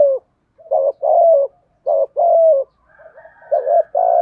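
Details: Spotted dove giving urging coos to draw wild doves: a quick series of low, hollow coo notes in pairs and short runs, with a faint higher tone in the background toward the end.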